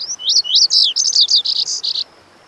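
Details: Lazuli bunting song: a lively two-second string of high, sweet notes, slurred chirps and doubled buzzy syllables rising and falling, delivered quickly and ending abruptly.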